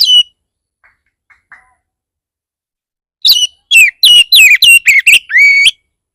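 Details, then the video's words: Oriental magpie-robin in an aggressive lure song played so other magpie-robins respond: one whistle, faint ticks, then a rapid string of loud downslurred whistles ending in a long rising note. "Pancingan burung kacer bar bar naik pitam kacer lain"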